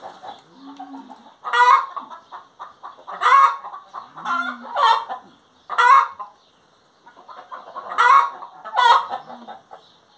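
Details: Hen singing in a lively burst: seven loud, coarse, nasal squawks, some in quick pairs, broken by soft clucks and a couple of low drawn notes.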